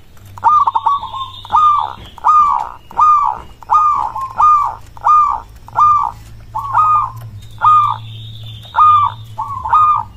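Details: Local zebra dove song, said to provoke replies from other doves: loud rolling coos repeated roughly every second, with fainter higher notes from another bird in places.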